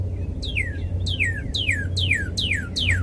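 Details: Red cardinal singing five loud, clear whistles, each sliding steeply downward, spaced about two-thirds of a second apart, over a steady low hum.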